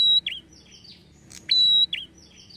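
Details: Prinia known locally as prenjak kepala merah, in a call played to provoke prinias to answer: two bursts of a sustained high whistle, each followed by a dropping chirp and softer slurred notes.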